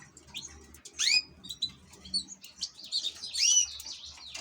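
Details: Kept European goldfinch song: sharp rising whistled notes and bright liquid twitters, a loud slurred note near the start and another near the end, with soft low background noise.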